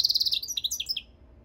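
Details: Goldfinch mule song fragment: a rapid run of high repeated pulses followed by a few twittering notes jumping up and down in pitch, ending abruptly within a second.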